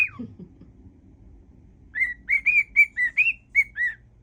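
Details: Whistling cockatiel performing a mash-up of tunes; after a short low sound and a quiet pause, a string of eight clear whistled notes follows, some rising, some dipping, steady in pitch.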